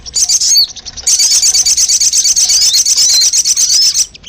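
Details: Sogon lure sound for attracting birds: a short opening trill, a brief pause, then a long, fast, high-pitched rattling trill with a few slurred whistles mixed in.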